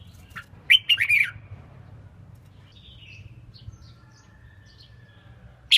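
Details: Female red-whiskered bulbul singing to excite males and help train competition birds: a quick cluster of sharp, bright chirps near the start, then faint soft notes over a low background hum, and a final abrupt note at the end.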